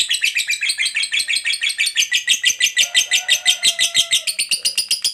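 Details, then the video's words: Lovebird fighter in long chattering song ('ngekek panjang'), a lure to stir other lovebirds: a continuous shrill, buzzy trill of rapid repeated notes, steady and unbroken, a faint low whistle briefly behind it. "Pancingan Suara Lovebird Ngekek Panjang"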